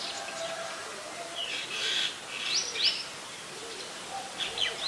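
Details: Streak-eared bulbul calling in Ubon Ratchathani, Thailand, on 29 February 2020: clear whistled notes with quick rising sweeps, spaced irregularly, with faint lower bird notes and steady outdoor hum underneath.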